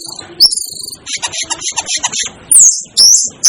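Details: Asian glossy starling: a quick train of soft ticking notes, then loud, very high sliding whistles, some rising and some falling, repeated roughly every half second.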